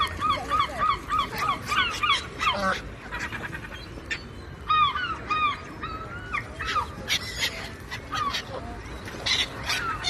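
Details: A flock of gulls over the ocean calls in quick, nasal, barking yelps, many birds overlapping, with sharp clicks and scattered harsh cries above surf noise.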